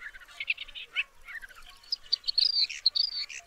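Woodchat shrike giving a fast, jumbled song of scratchy chatter and brief high whistles, rising toward the end; nothing else intrudes.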